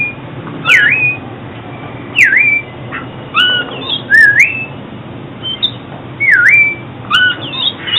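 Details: Oriental magpie-robin song used for trapping and song training: clear whistled phrases, each swooping down then up, given about every one to two seconds with short breaks, over a steady low hum.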